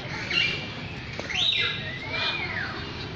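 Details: Lyrebird singing clear whistled phrases: a short high note, then arching slurs that rise and fall, roughly one per second, over constant low background rumble.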